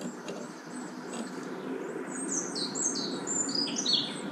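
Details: Hungry great tit chicks begging while parents bring food: thin, high, wavering chirps and squeaks, sparse at first, then crowding together in the second half. A steady rushing background noise runs throughout.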